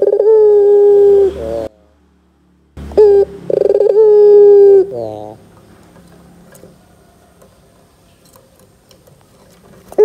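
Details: Lure call of a chatty Barbary dove, used to get young doves calling: long even coos with a bubbling trill, a silent gap, then further steady coos ending in a rolling flourish and faint background.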